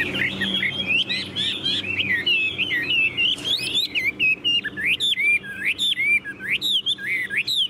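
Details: Chinese hwamei, a tame cage bird, sings a long, rapid stream of loud, rich whistled notes, each swooping and bending, repeated in quick succession with barely a pause.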